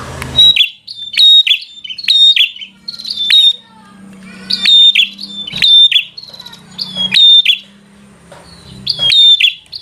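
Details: Bar-winged prinia in aggressive song aimed at a rival: clear, ringing high notes with clicking onsets, repeated in rapid groups of two to three, over a faint low hum.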